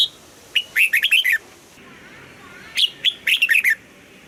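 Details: Morning double-note song of a red-whiskered bulbul in the old-forest style. Two lively phrases begin with a clear upslurred whistle, then run into four or five fast, fluty, descending notes. Faint hum underneath.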